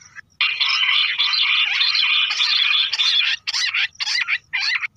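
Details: Bush quail Lahori-style calling, as used to draw birds in when hunting: a long, unbroken harsh chattering run lasting about three seconds, followed by three separate rasping bursts.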